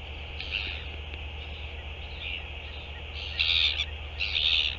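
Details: Northern royal albatross, recorded 11 February 2023. Faint, rasping bursts build to two loud, harsh, buzzy notes near the end, spaced about a second apart, over a constant low background hum.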